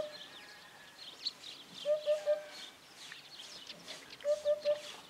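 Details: Courtship song of a Eurasian hoopoe: two phrases of three low, hollow, evenly spaced hoots, a pause of about two seconds between them, over faint high twittering from other birds.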